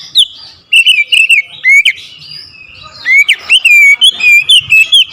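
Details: Oriental magpie-robin, agitated into challenging a rival, gives loud whistled phrases with quick slurred notes and clicks, a short pause, then a rapid, sustained run of sweeping whistles.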